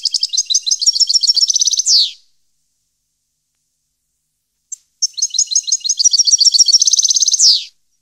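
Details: European goldfinch, 2015: two bright, high song phrases separated by about three seconds of silence, each a run of rapid twittering notes that speeds into a dense trill and ends in a descending buzzy sweep.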